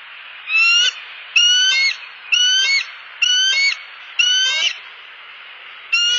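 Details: Perched bald eagle pair on a Southwest Florida nest camera, October 30, 2015, sounding off at an intruding eagle overhead: six shrill, harmonic-rich notes, each under half a second, repeated roughly once a second above a constant hiss.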